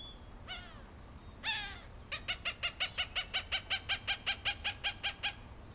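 Cooper's hawk gives two drawn-out, nasal, downslurred cries, then a steady run of about seventeen harsh 'kak' notes, roughly five per second.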